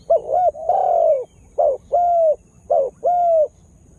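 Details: Decoy spotted dove calling to lure wild birds: loud, clear coos in three pairs, each a clipped short note followed by a drawn-out, gently falling one.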